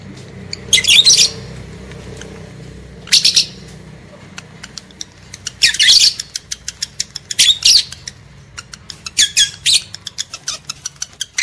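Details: Lovebird arousal audio for breeding males and females: four loud bursts of shrill rasping chatter spaced a couple of seconds apart, with dense sharp clicking and ticking between and after them.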